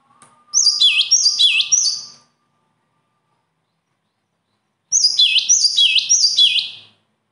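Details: Bird singing two phrases of rapid high notes, each chirp a downward sweep ending in a lifted hook, about four per phrase, with a long silent gap between them.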